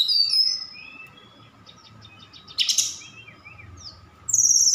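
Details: Sukabumi Javan bush lark singing hard, its repertoire stuffed with copied cililin and sikatan londo calls. High thin whistles open, then quieter scattered chirps and a brief harsh burst, ending in a loud high trill.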